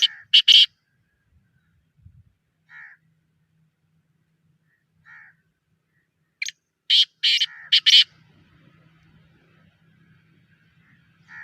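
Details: Black francolin, a home-bred captive bird, giving a harsh, grating call in loud bursts: a short burst at the start, scattered softer notes, then a rapid cluster of four loud rasping notes near the eighth second.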